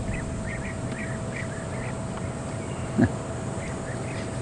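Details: Flock of European bee-eaters, likely hawking emerging termites on the wing at Djuma Game Reserve, South Africa, on a November afternoon in drought, giving soft, rolling, liquid "bloop" trills about every half second over vehicle engine rumble and a brief knock.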